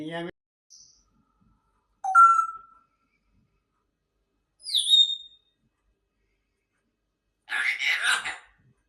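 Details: Grey parrot giving sparse, separate calls with long silences between them: a short harmonic sound, then a clear whistle that falls and flattens, a high whistle that drops sharply, and finally a rough, raspy burst.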